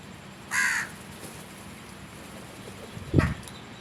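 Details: One drawn-out, grating crow caw, then a brief low thump a few seconds later against a hissy background.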